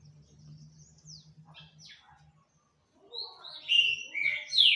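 A Green-winged Saltator sings: a few faint slurred notes, then loud, rich whistled phrases tumbling over one another, over a low electrical hum.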